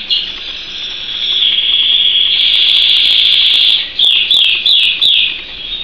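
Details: Canary (Serinus canaria), song.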